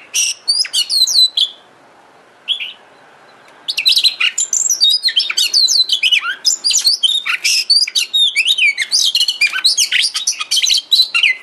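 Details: Oriental magpie-robin (kacer) lure song, used to trigger birds into singing and tail-spreading: rapid, high, varied whistles and chirps with sweeping slurred notes, a brief opening phrase, a two-second pause, then dense continuous phrases.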